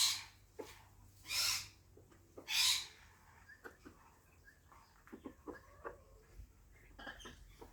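An African grey parrot gives two loud, harsh squawks a second apart, followed by scattered soft whistles, clicks and chatter.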